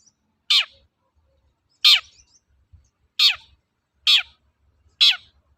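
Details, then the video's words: Five grating, descending screech notes from a long-tailed shrike, roughly one every second and a bit, from a lure recording for training birds to sing; otherwise near-silent. "BURUNG CENDET GACOR TOET-TOET, PANCINGAN AMPUH SAAT INI"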